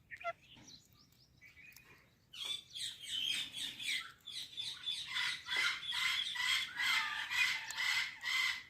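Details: Indian parrot talking: two brief soft squeaks, then a long stretch of loud, harsh, harmonic babble broken into pulses about twice a second, continuing to the end.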